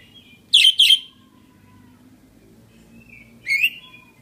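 A budgerigar gives short, scratchy chirps, a quick pair and then one more after a pause.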